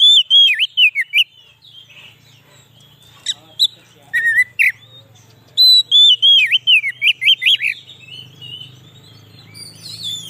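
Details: Lure song of an Oriental magpie-robin for trapping wild birds: quick strings of looping, sweeping whistles and sharp chips in two main bursts, with a steady low hum underneath.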